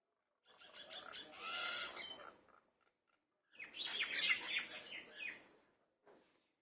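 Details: Common myna calling in the morning in a field in West Bengal; harsh, grating chatter in two dense bursts of about two seconds each, broad and noisy in pitch, ending with one brief short note.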